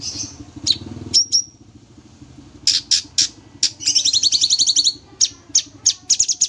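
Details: Sooty-headed bulbul in full energetic song for tutoring: sharp high clipped chirps and short whistled slurs, broken by a fast rattling trill of high notes, then more spaced chirps.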